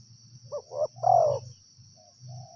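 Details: A single loud three-part coo from a wild spotted dove, short, short, then long and downward, followed by quieter faint coos, against constant insect buzzing.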